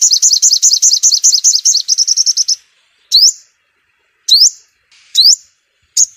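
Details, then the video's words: Five-coloured sunbird song used as loudspeaker bait for trapping birds: a fast, high chattering trill for over two seconds, then isolated sharp rising whistled sweeps about once a second, in a quiet background. "Tiếng Chim Hút Mật 5 Màu Kích Bổi Nhanh Hót"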